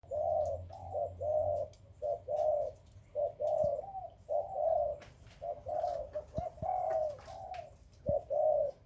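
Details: Spotted dove among breeding birds, giving soft hollow coos in short phrases of two to three notes, repeated steadily through the clip, with faint clicks and knocks in the background.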